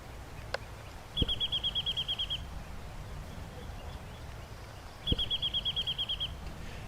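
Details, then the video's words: Wrentit in chaparral giving its easy-to-remember call likened to a slowly decelerating ping-pong ball: two bursts of about a dozen quick, even, high notes, several seconds apart, with faint clicks and low background rumble. "Then there's the birds called wrentits, which have an easy-to-remember call that sounds like a slowly decelerating ping-pong ball."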